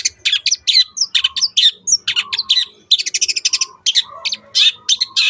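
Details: Long-tailed shrike singing as a lure to prompt other birds to sing: dense bursts of harsh, chattering high notes mixed with brief whistles, delivered in fast rattling runs with short gaps.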